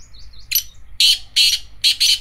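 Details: Black francolin calling: loud, harsh, grating bursts in a rhythmic series of four or five notes, close and clear against a quiet background.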